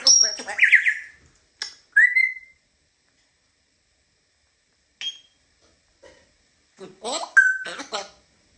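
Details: African grey parrot indoors giving short, widely spaced sounds: a high whistle and mumbled syllables at the start, a clear upward whistle, then after a long silence a brief chirp and a final burst of speech-like chatter with a whistle.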